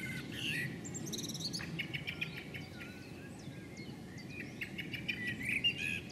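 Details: Female common blackbird chattering on a house roof before flying away, a series of short scolding notes with brief higher twitters and clicks against low steady background noise.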